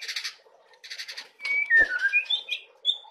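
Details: Young white-rumped shama singing: buzzy, broadband bursts, then a run of clear whistled notes sliding down and rising again, ending in a high sustained whistle.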